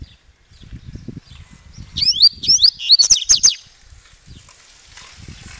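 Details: Double-collared seedeater (Sporophila caerulescens) song: a quick burst of high, sweet, slurred notes lasting about a second and a half, over low background rumble.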